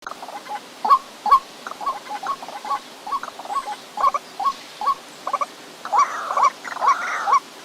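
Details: White-breasted waterhen giving a series of short, hooked, croaking notes, about two per second, irregularly spaced, with louder doubled notes near the end over a quiet background hiss.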